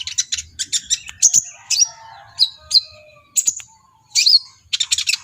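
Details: Brown-throated sunbird, known locally as kolibri ninja, singing energetically and agitated while displaying; high, rapid chirps and thin whistled notes in quick bursts, with short sliding whistles between clusters of sharp tweets.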